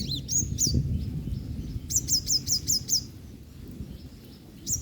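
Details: After a soaking in rain, a female yellow-bellied sunbird calls while drying herself: high, sharp, downslurred chirps in loose runs of five or six, with scattered single notes and low background noise.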